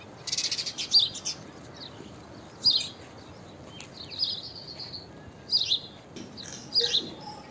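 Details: Unusual call of a common myna: a sputtering burst at the start, then separate sharp chirps and a short whistled note every second or two over a steady low hiss.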